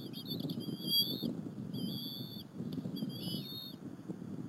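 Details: Two bald eagle eaglets sharing a squirrel lunch with their mother at the Berry College nest on an April 30, 2015 afternoon; three thin, high whistled calls, each about half a second and slightly wavering, over a steady low rumble of wind.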